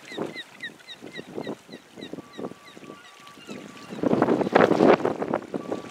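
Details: American black ducks feeding along the shoreline of a beach by Spring Point Lighthouse, South Portland, Maine, give rough, low quacking notes, about three or four a second, with faint high chirps behind and a burst of splashing water near the end.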